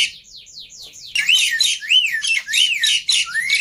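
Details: Black-winged myna in vigorous song, played to stir birds into singing: a short series of falling buzzy sweeps, then loud rising-and-falling whistles over harsh rasping chatter.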